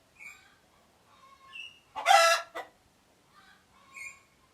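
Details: Chicken alert calling: one loud harsh squawk with a short clipped note after it, set among softer tonal clucks and whining notes.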